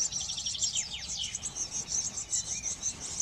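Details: Eurasian blue tits tending young at a garden nest box: quick descending thin chirps at first, then evenly repeated high notes about every quarter second over a steady high-pitched hissing background.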